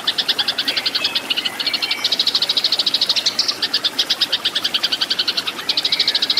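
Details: Eurasian tree sparrow fighting chatter for training cage birds: dense, urgent strings of high metallic chirps at a quick, slightly uneven pace, broken by a couple of short gaps.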